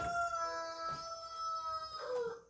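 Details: In the afternoon, during a washing-machine repair, a rooster gives one long, drawn-out crow held on a steady, ringing pitch, closing with a short falling note over faint background hum.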